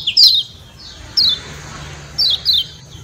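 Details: Lemon-bellied white-eye, Lombok, giving sparse ciak calls intended to provoke other birds: a few crisp, high, falling chirps, single or paired, spaced around a second apart against a quiet hum.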